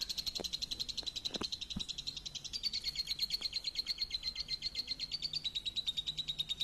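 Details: Champion lovebird singing a lure song. It gives a long, even, high chattering trill of rapid chirps, about seven each second, sustained without a break. A few faint low knocks sound in the background.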